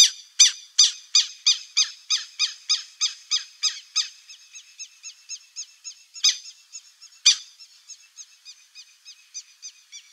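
Buff-necked Ibis giving loud, harsh, metallic notes about twice a second that fade to a softer chatter, with two louder notes breaking in near the end.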